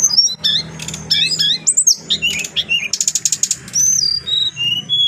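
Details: Adult brown-chested jungle flycatcher in clear voice, pouring out a fast jumble of high whistles, buzzy trills and clipped chips, with downward-sliding notes near the end and a soft background hum.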